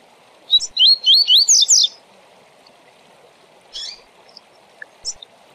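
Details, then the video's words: Double-collared seedeater (coleiro, papa-capim) tournament song in the Tui Tui Zel Zel style, for training birds: a quick run of six bright, looping, slurred whistled notes, then scattered short high chips over a steady low hum. "Tui Tui Zel Zel para Encarte e Manejo de Papacapim e Coleiro de TORNEIO"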